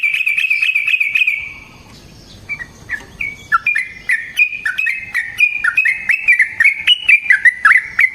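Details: Sooty-headed bulbul song meant to provoke other bulbuls into singing and to train them: a rapid trilled run, a faint hushed pause, then accelerating clipped whistled notes building into a fast chattering stream.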